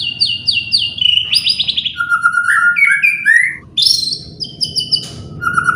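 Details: Provocation song of a white-rumped shama: high, repeated down-slurred whistles, a chattering trill, then mellow whistled phrases that climb upward, and short high notes after a brief pause.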